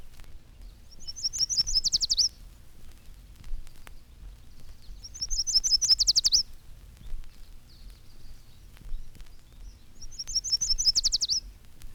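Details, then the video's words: A Yellow Warbler, whose mate is building a nest in a syringa bush, sings in spring on a 1954 Cornell recording. Three quick, high "sweet, sweet, I am so sweet" phrases speed up into an accented ending about every four seconds. ""Sweet, sweet, sweet, sweet, I am so sweet," it seems to say, and rather hurriedly, for fear it may miss a caterpillar while taking time to sing."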